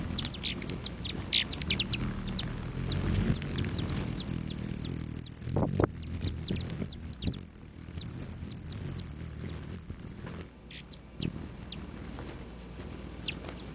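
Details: Hummingbirds at feeders on a west-facing lodge patio just outside Great Sand Dunes National Park, Colorado, on July 29 at 9:14 AM: sharp high chip notes scattered throughout, with a long, steady, high buzzing trill running through the middle.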